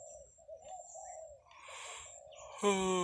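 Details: Morning cooing of a zebra dove among rice fields: low rolling coo phrases for about a second and a half, then broad rustling noise and a sudden loud harmonic tone at the end.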